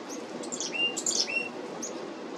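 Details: Black-capped chickadee calls at a feeder on 17 July 2025: a quick flurry of high chirps with two short flat lower whistles, packed into about two seconds over low noise.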